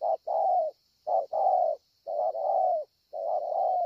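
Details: A spotted dove at Ngọc Hồi, 25 March 2020, coos loudly and closely: four quick pairs of low hollow notes, a clipped note running into a long sustained one, with a faint high hiss behind.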